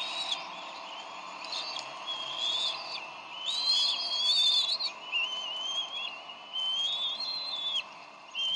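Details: Decorah nest, 30 May 2012: adult bald eagles argue over a delivered fish, and the female wins and feeds the young. Soft high squeaks build into longer wavering whistled notes that rise toward the end.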